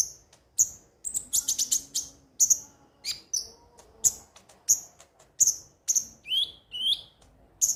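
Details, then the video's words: Konin singing as a lure recording: a lively series of piercing, high chirps, a fast rattled burst early on, then evenly spaced sharp notes and a couple of descending whistles. "pancingan suara burung KONIN agar rajin bunyi tiap hari"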